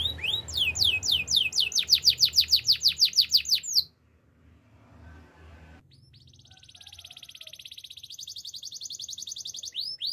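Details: Canary singing a rapid, regular series of bright downward-sweeping whistles for about four seconds, then a pause and a soft, high, fine trill that swells before another sweep.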